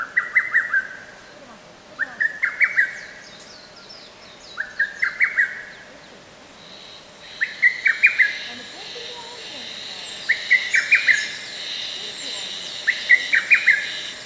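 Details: Forest park lesser cuckoo, recorded 15 May 2024, repeating a choppy series of five or six emphatic notes in bursts roughly every two to three seconds, with higher faint chirps of other birds behind.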